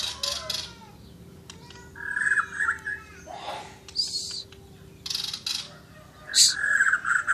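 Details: Asian brown flycatcher in active song, with short bursts of scratchy chatter and buzzy trilled whistles separated by brief pauses, and a steady background hum.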